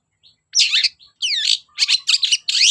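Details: Long-tailed shrike singing energetically, meant to prompt shy shrikes to sing: loud, rich swooping warbles and sliding whistles in quick phrases, with a short buzzy rattle.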